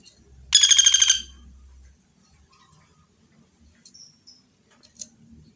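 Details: Common flameback (pelatuk bawang), clearly recorded as a training clip: one loud burst of rapid, evenly spaced harsh notes lasting about half a second, followed by quiet with a few faint high chips.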